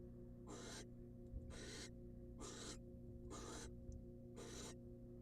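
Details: Rasping hisses from a wild female barn owl in a monitored nest box while the male delivers a rat, five noisy bursts about a second apart, with faint clicks and low background hum.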